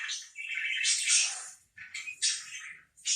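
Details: Parakeet close by, uttering bright, scratchy warbles and rising squeaks in two quick bursts, with a clean quiet background.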